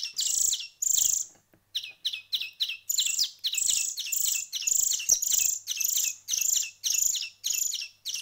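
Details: Hand-fed young finch chicks after a week of hand feeding, begging with loud, harsh, high chirps that rise and fall, given in quick bursts of about two per second with short pauses between them.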